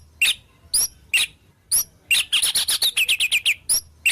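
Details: White-rumped shama delivering a song full of wild-bird imitations: scattered high chirps at first, then a rapid even series of about twelve bright notes, followed by more spaced chirps.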